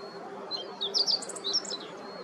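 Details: Meadow bunting on a morning outing at Yanagishima beach in Chigasaki, Kanagawa, Japan, 26 October 2023, Nikon COOLPIX P1000 recording; one quick cluster of sharp, high-pitched twittering notes lasting about a second against faint steady background hum.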